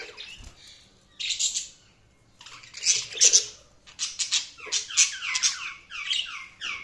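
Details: Budgies give rough, buzzy chirps in separate bursts, followed by a run of repeated downward-sliding squeaky notes in quick succession near the end.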